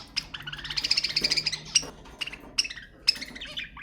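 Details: Budgerigars, sounds meant to stimulate other budgies: a rapid chattering warble of harmonic chirps between 2k and 8k, loud stuttered notes in the first second, then scattered sharp chirps and short whistles.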